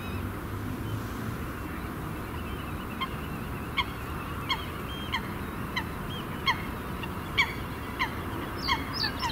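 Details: Purple herons fighting over territory near the Kinderdijk windmills on an April evening give short, harsh, honking calls, roughly one every second, over steady low wind rumble.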